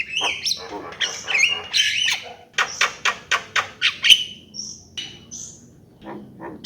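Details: Javan myna pouring out a jumble of chattering, grating notes, then a quick string of evenly spaced clicks, followed by thin high whistles and soft scattered calls at the end.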